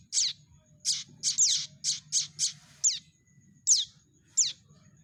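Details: Prinia chicks calling, played to lure birds for trapping: high, falling chirps repeated roughly every half second, some doubled, thinning out toward the end; faint low hum behind.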